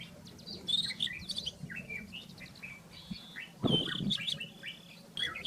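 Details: Song of a rufous-tailed scrub robin in the wild: rapid high whistles and chirps in short phrases, a louder bright flourish after a low knock, over a steady low hum.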